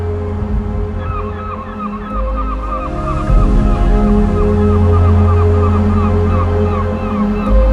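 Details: A large colony of gulls at Cape Ptichi on Sakhalin island keeps up shrill, yelping, hysterical-sounding cries, several a second, under steady background music and the low roar of surf.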